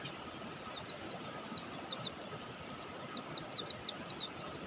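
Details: Buxtoni mountain white-eye in full, persistent song, a chain of sharp high notes slurring downward, delivered in quick even succession, about three per second, with a constant low hum underneath.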